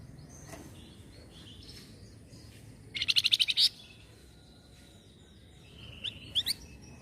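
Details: Sunda bush warbler responding to a noisy sound with a quick string of about eight high chirped notes in under a second, ending on an upslurred note, then a few scattered high whistles and chips over steady low hum.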